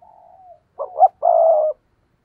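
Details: Thúc gù cooing of a spotted dove, a lure recording for making wild doves call back. It opens with a faint drawn coo, then a short rough note, a rising hoot and a long buzzy held coo.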